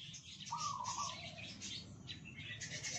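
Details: Captive red junglefowl of Sumatran origin, hand-raised from a day-old chick and kept in a shared cage, gives a short crow. It starts near one pitch, then drops lower in a second part. High chirps from other birds and steady low background hum.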